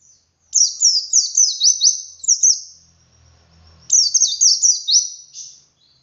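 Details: White-eye in 'ngalas' wild singing style, 'wit wit' variation, played to encourage other white-eyes to sing; two long runs of quick, shrill down-slurred whistles with a faint low hum in the pause between.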